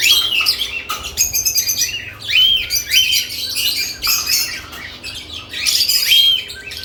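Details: Lovebirds active around newly added nest boxes, giving dense, high-pitched chirps and short rising squeaky notes in overlapping bursts, with brief pauses between flurries of calls.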